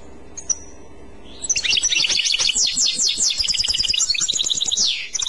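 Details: A European goldfinch gives a clochette-style song. A single thin high note comes first, then a rapid, rich stream of bright twitters and trills. It ends in a downward-sweeping note.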